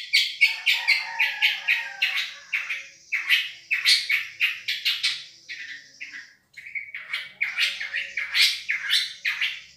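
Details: Long-tailed shrike of Madura, champion voice for masteran tutoring: choppy run of harsh squawky notes about two per second, a brief pause, then more rasping, varied squawks.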